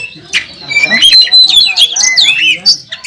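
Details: Contest Oriental magpie-robin in fighting form at a competition track: a short burst of bright whistled slurs and scratchy chattering notes sweeping up and down, with faint low background murmur.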